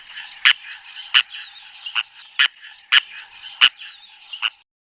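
African Darter giving harsh, dry clicking croaks, about seven in five seconds at an uneven pace, over a steady background hiss.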